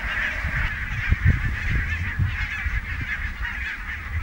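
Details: Barnacle geese massed at Niittylahti, Savonlinna, 5 October 2017, keep up a constant high yelping babble of overlapping honks, with bursts of low thumping wind noise.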